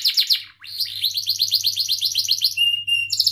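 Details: Lively canary cuit-cuit song used as a learning lure for young canaries: a few quick chirps, a short gap, then a long even run of bright repeated syllables, a clear held whistle, and renewed chirping.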